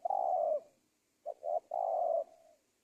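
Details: Spotted dove lure call for catching wild doves: a long hoarse coo, a pause, then two short clipped notes leading into another long, slightly falling low coo.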